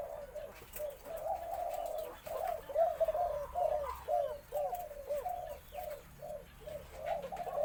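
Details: White Spotted Dove of uncertain sex, owner suspects female (60/40), giving a full four-coo crowing song, medium-to-deep pitch: soft rounded coos, roughly two a second, in repeated phrases. Faint background hiss.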